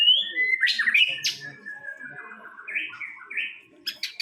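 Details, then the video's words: White-rumped shama, a first-place winner in a songbird contest, singing a varied run of clear whistled phrases that slide and warble between low and high notes, ending with a few sharp, high clicking notes. "MURAI BATU JUARA 1"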